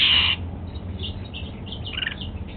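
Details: A pet Golden-fronted Leafbird at its apple breakfast opens with one loud, harsh call, followed by faint scattered chirps.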